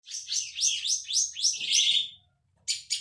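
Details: Long-tailed shrike lure song, played to make the bird sing: quick series of downward-sweeping buzzy, chattering notes about four a second, ending in a longer rasping note, a brief pause, then two harsh notes.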